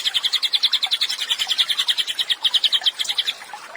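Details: Cililin singing actively as training material for songbirds: a quick series of high, sharp chips for about three seconds, then fading to quiet.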